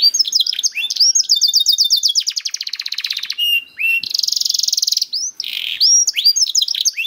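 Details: Canary song played to prompt other canaries to sing: fast chattering trills, a sustained rapid rattle, then a bright buzzy roll and varied short whistles.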